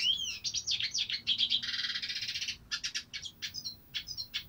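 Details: Singing hooded siskin: a fast, varied twittering run of high chirps and trills, including a sustained buzzy stretch near the middle, then clipped twittering notes, all dense and continuous with a low background hum.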